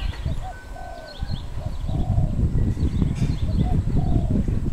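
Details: Wild dove in Cambodia, recorded 1 May 2020: low, soft rounded coos repeated in short phrases, over steady wind rumble, with faint higher chirps from other birds.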